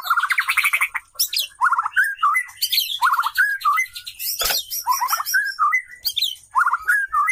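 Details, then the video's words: Female white-rumped shama calling during mating, male courting her; vigorous buzzy trills and clear whistled slurs in rapid succession, a sharp click in the middle, phrases repeating about every second. "Proses kawin murai batu jantan merayu betina | murai betina gacor"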